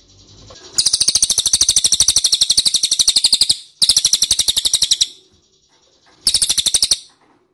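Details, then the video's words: Ashy tailorbird calling to lure answers: an extended run of quick, high, metallic chips, a second run after a short break, then a short final burst following a quiet gap. "PANCINGAN CILILIN DIJAMIN NYAHUT"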